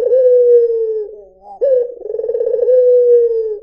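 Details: White Barbary dove holding a long, steady, low coo that slowly drops in pitch. A pause follows, then a crisp note starts a new rolling, pulsed coo that ends in another sustained tone.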